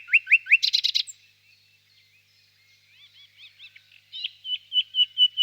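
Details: Singing nightingale among birches on a warm spring evening: rising slurred whistles and a dense rattle, a pause, then soft curled notes building into loud repeated downslurred whistles.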